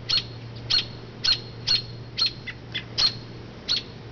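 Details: Mother robin, flying from her low nest in an oak to a branch when people pass, gives sharp, high chips about twice a second to distract attention from the nest, each a quick bright note, over a low steady hum.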